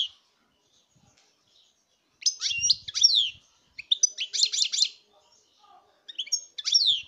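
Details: European goldfinch song recorded in 2019: bursts of bright, high twittering notes and quick falling chirps, a short trilled run near the middle, separated by brief silent gaps.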